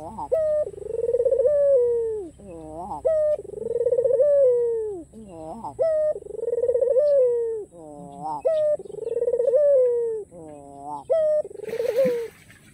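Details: A white Barbary dove with a black collar, a keen singer, gives repeated rolling, mellow coos, each rising then falling, about every two seconds, with a steady high electrical hum behind; meant to provoke rival doves into calling.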